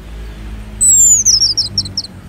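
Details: Orange-headed thrush singing, used to encourage caged birds to sing: a long, high whistle gliding slowly downward, breaking into a string of short, bright twittering notes.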